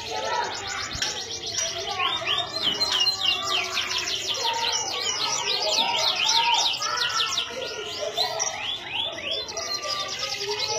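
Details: Canary (Serinus canaria) singing in Indonesia: rapid high trills and rolling chirps, many notes per second, with other birds twittering and a faint voice in the background.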